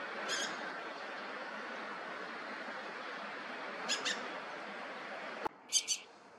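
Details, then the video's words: A dusky thrush gives short, harsh, high calls, some doubled, spaced a few seconds apart, over a steady rushing background that cuts out near the end. "개똥지빠귀와 노랑지빠귀 소리 dusky thrush"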